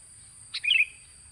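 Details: Sooty-headed bulbul singing, a recording meant to lure other birds: one short phrase, a sharp high note followed by a burbling run of fluty notes falling slightly, with quiet background hiss.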